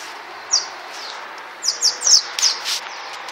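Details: Swallows flying over the Tudor district of Csíkszereda, giving short high downslurred chirps, singly and in quick pairs, with a steady background hiss.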